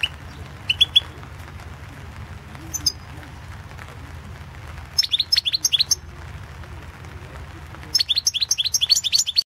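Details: European goldfinch song recorded for an online world championship competition in goldfinch song, 2016, Balkan goldfinch: bursts of bright, high twittering and tinkling notes, short phrases near one second and three seconds, longer rapid runs around five and eight seconds.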